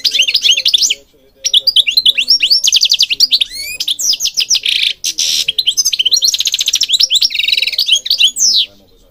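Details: European goldfinch in Morocco singing a fast, varied song of twittering notes, sweeping chirps and buzzy trills, with short pauses between phrases.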